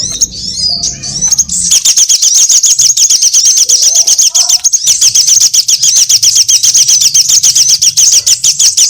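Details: Sunbird trapping lure: after a few scattered high chirps, a long fast ticking trill of thin, high notes runs steadily to the end. Some faint mid-pitched chirps sound partway through.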